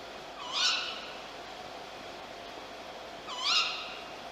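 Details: Caged tawny owl in a theological institute garden, joined by a free-flying bird, recorded on magnetic tape in October 1951 with a purpose-built device: two sharp, harmonic-rich screeching calls about three seconds apart over steady recorder hiss.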